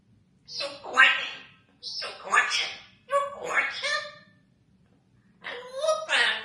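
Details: Congo African grey parrot talking, copying human voices: four short bursts of word-like, harmonic-rich syllables, each about a second long with brief pauses between, in a small quiet room.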